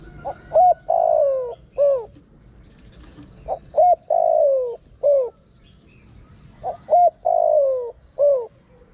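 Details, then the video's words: Spotted dove calling to attract wild birds. Three evenly spaced cooing phrases, each built from a quick pip, a clipped coo, a drawn-out falling coo and a short falling coo, with faint chirps and a brief flutter. "Chim cu gáy gọi hay kích bổi nhanh nổi"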